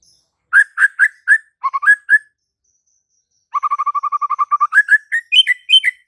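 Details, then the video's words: White-rumped shama song, meant to prompt a silent shama to respond. Spaced clear whistles, a pause, then a quick run of low repeated notes climbing into varied higher slurred whistles. "JADIKAN MURAI BATU BISU SEKETIKA NYAUT DAN GACOR DALAM HITUNGAN DETIK"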